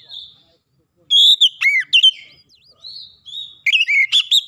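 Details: Clear Oriental magpie-robin lure song for coaxing stalled birds to sing: a thin high whistle, then loud sharp notes sweeping down, soft sliding whistles, and a final quick string of chirps.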